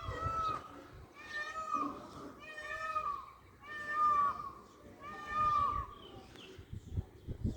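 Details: Dancing peacock gives a run of five strong, nasal, wailing calls, each ending in a sharp downward slide, spaced about 1.3 seconds apart, with soft thumps and background noise between them.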